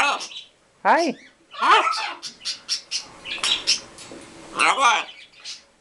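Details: A green-winged macaw pair and their baby chatter together, saying greetings and I love you. Arched, throaty, speech-like calls alternate with quick clicks and squeaky fragments.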